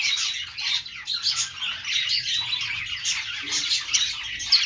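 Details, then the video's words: Happy pet budgerigars, also called parakeets, singing together in a busy mix of high twittering chirps, squeaks and warbles that overlap throughout, with a brief lower sound partway through. "budgies sounds | budgies singing | parakeet chirping sounds | Australian parrot sounds"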